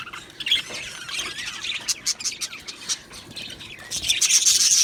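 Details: Budgie parrots in an aviary colony: quieter chirping with quick squeaky notes and short warbles in bursts, growing into a louder high chattering chorus toward the end.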